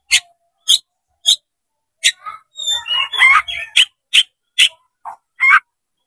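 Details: Oriental magpie-robin (kacer) spreading its tail and singing as a fighting challenge: crisp separated notes, a tangled burst of warbled and chattering phrases, then further sharp notes.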